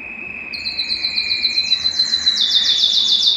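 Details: Singing Belgian canary, song used to stimulate males and bring hens into breeding condition: a long steady whistled note, then rapid repeated chirps building into a loud, fast, metallic trill.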